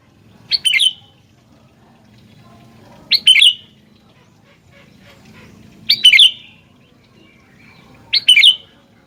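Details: Sooty-headed bulbul singing busily, with four brisk chattering phrases spaced about two and a half seconds apart, each a quick burst of slurred notes, over faint background noise.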